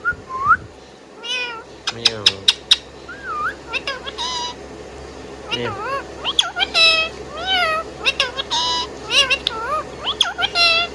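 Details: Pet Indian ringneck parrot chirping and whistling, with curling, wavering whistles, sharp clicks and short harsh notes in irregular bursts.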